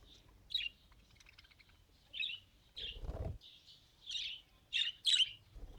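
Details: Pet budgerigar attempting speech with soft warbling and chirped syllables, rising into louder rough squeaky notes toward the end, a low bump in between.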